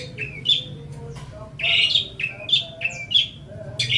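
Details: Training song of a long-tailed shrike (cendet): mid-high chattering notes with sharp, whistled accents, given in quick irregular bursts over a faint low hum.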